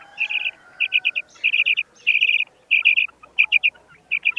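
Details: Calling female common quail, known locally as batair: crisp clusters of three to five rapid, high chirping notes, each burst separated by short pauses, repeated steadily and clearly with little background noise.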